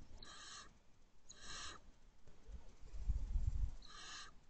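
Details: Barn owl at a nest box before dawn, 4:29 am, 5/2/23: three rasping hissy screech bursts about half a second each, with low scuffling thumps from the box between them.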